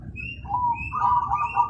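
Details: Zebra dove cooing loudly, a short mellow coo followed by a longer, warbling rolled coo, with steady low background noise.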